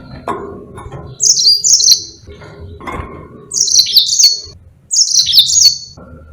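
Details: Caged Yellow-fronted canary serving as a song tutor for other birds, singing three short high trilled phrases spaced about two seconds apart, with a few knocks and low mid-pitched calls between them.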